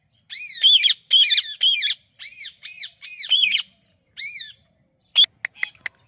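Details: An Indian parrot repeatedly says "mithu" in a shrill, nasal voice, several times over four seconds, then gives a few sharp clicks and squawks.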